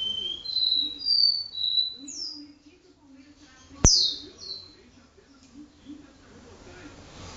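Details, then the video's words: Caboclinho singing the do-re-mi vibrasom song style indoors in a room: a sequence of clear, pure whistled notes stepping up and down in pitch, with one sharp click partway through and a quiet background. "caboclinho do-re-mi vibrasom vibrando suas notas na sala"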